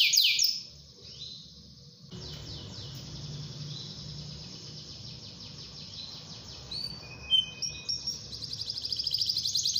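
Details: A canary sings in a lively song meant to prompt other canaries to sing. It starts with high, rapid trills, then long buzzy rolling passages and sharp whistled notes, over steady background noise.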